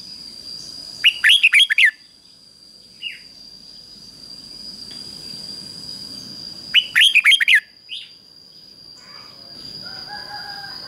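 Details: Red-whiskered bulbul used as a caged decoy to draw wild rivals, delivering two loud, chattering phrases of five or six slurred whistles about six seconds apart, with quieter chirps between and a steady high hum throughout.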